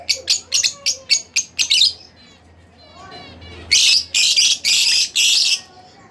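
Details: Pet split blue Fischer's lovebird chirping: seven quick, piercing chirps about a quarter second apart, a brief lull, then five loud, buzzy, grating bursts in steady succession.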